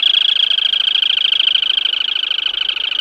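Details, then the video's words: A Black-tailed crake gives a continuous fast rattling trill, high-pitched and level, its pulses repeating evenly and densely throughout with no breaks or other sounds. "เสียงนกอัญชันหางดำ Black-Tailed Crake Sound"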